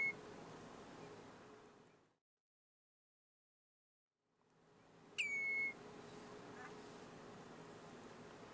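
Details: Common redshank (Tringa totanus) parent in breeding season, alarming when someone comes too close to its young, gives one loud, piping whistle that drops sharply, then holds steady for about half a second, over a constant background hiss.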